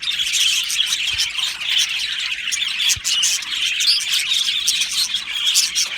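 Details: Many Australian budgies calling together in a colony aviary: constant high-pitched chattering and chirping, a short squeaky rising whistle standing out midway, with two soft knocks in the background.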